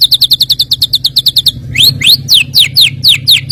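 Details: Filler song of a white-rumped shama played to provoke rivals into singing: a fast series of about twelve short high chips, then loud downward-sweeping whistled notes repeated roughly twice a second over faint low hum.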